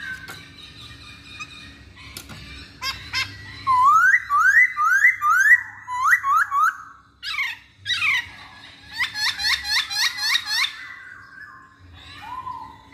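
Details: Masked laughingthrush lure song, caged: series of loud rising whistled notes repeated about twice a second in bursts, mixed with sharp clicks and downslurred squeaks, with a low hum behind.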